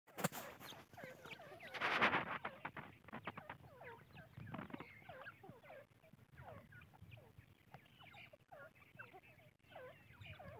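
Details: Francolin chicks: many short, high peeping and chirping notes, often upslurred or bent, repeated rapidly and overlapping from several young birds, with a louder rustling burst near the start and scattered handling noise.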